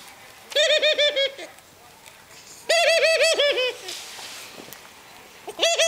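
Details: Pet ringneck dove, 19 years old, bowing and giggling: rolling runs of seven or eight rapid, throaty notes come twice in quick succession, then a third run begins, over faint indoor background.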